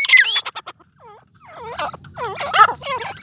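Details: Partridges (teetar), a Dakhni and an Erani bird, fighting: a burst of loud harsh notes, then a series of arched calls with rising-falling harmonics over a low steady hum.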